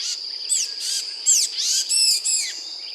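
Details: Tufted titmouse; begging call; fledgling begging to be fed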